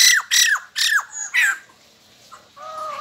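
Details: After a meal of gecko, a white-crested laughingthrush (bồ chao) sings and dances; four loud downslurred notes in quick succession, followed by a pause and a softer, level whistled tone.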